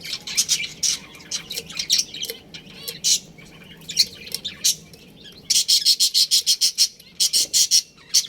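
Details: Budgerigars in a breeding colony, a pair among them, chirping: rapid high chattering pulses, scattered at first, then dense runs of quick repeated chirps near the end.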